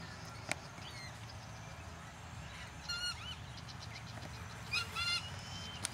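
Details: Buff-banded rail at Deception Bay, south-east Queensland, Australia, giving two brief bursts of harsh, nasal, squeaky notes about two seconds apart, over a steady low rumble with a couple of sharp clicks.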